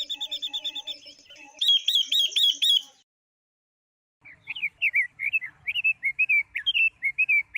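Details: Female Chinese hwamei used to stimulate males. Soft rhythmic chirps lead into a burst of loud repeated whistles, then a short silence, then a varied chattering phrase of twisting notes.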